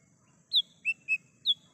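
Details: Wild lesser green leafbird, recorded for use as a lure: four bright whistled notes in under a second, a high downslurred whistle, two lower short notes, then another high downslurred whistle, with a faint low hum behind.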